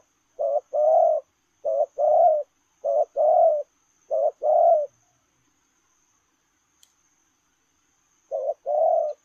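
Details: Lèo rồng style coos from a spotted dove while running: four steady low phrases, each a short note then a fuller rolling coo, about every 1.2 seconds, then silence and one final phrase.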